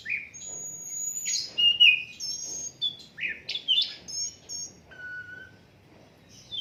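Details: Unedited Asian brown flycatcher song used as a tutor for other songbirds: varied high whistles and buzzy slurs in quick succession, a descending note pair, and a lower clear whistle near the end.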